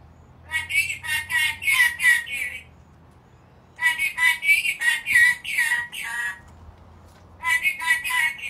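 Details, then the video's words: Loud, pulsing, harsh screeches from an angry black-capped lory, delivered in three dense bursts of rapid raspy notes with brief silent gaps between them. "angry bird? Black capped lory"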